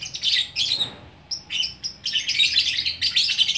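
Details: Caged lovebird from Bukittinggi, West Sumatra, singing the 'gacor orkestra' style: rapid, shrill chattering and scratchy twitters in quick bursts, a short pause near the middle, then a continuous run of high buzzy notes.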